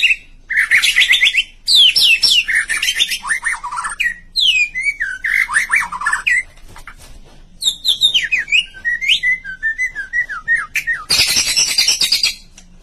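A White-rumped shama sings rich, varied phrases of fluty whistles and quick rising and falling notes, delivered in bursts with short pauses between them.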